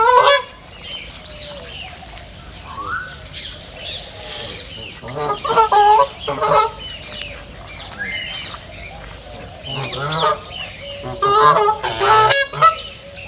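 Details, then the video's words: Wild ducks in a nature reserve give scattered nasal, harmonic quacks in short bursts, loudest around the middle and near the end, among chirps and whistles from other birds and a steady outdoor background. "صوت البط | دجل البط | بطبطة البط | Duck sound"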